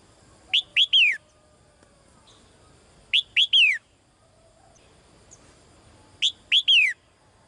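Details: Caged female bird calling to the male: three-note bursts of bright, sharply falling whistled chirps, the last one longer, repeated about every three seconds over quiet background.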